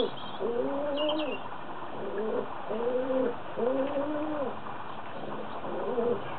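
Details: Lovestruck pet doves cooing: five low, even, arched coos of about a second each, spaced roughly a second apart, with a brief higher chirp early on.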